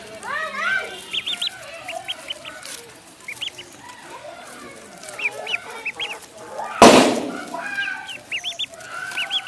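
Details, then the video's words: Duckling in a pond giving high, arched peeping calls in quick bursts of two to five notes, scattered through the clip, with lower murmuring calls beneath and one loud splash-like burst near the middle. "Duck Sound duckling in the pond -duck quack"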